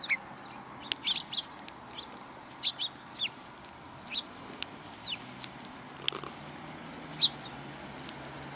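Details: Sparrows arriving to be fed on a Tenmangu shrine's front approach, 12 April 2020: steady short high chirps roughly every half second, some doubled, with low background hum.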